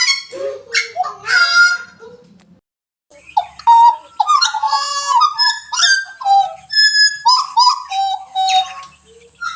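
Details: Pied butcherbird singing rich, fluted whistled notes, some low and mellow and others higher, in varied phrases. A brief pause in the middle is followed by a quicker run of bright, ringing notes.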